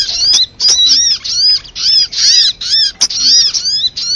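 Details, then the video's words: Sunbird lure calls meant to draw birds close: high, clear arching chirps in quick clusters, about two per second, separated by brief silences. "SUARA PIKAT BURUNG SOGOK ONTONG RIBUT AMPUH BIKIN SOGON NEMPEL PULUT"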